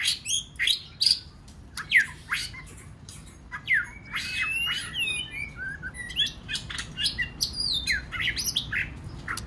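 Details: White-rumped shama song played to stir other birds to sing: a dense jumble of sharp chirps, quick rising and falling whistles and harsh chattering notes, delivered in rapid overlapping bursts with barely a pause throughout.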